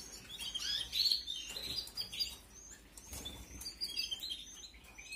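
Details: Canary chicks bred in an aviary in 2021 beg during feeding with rapid, high-pitched chirping, about three notes a second, loudest near the start, then fading before a second flurry.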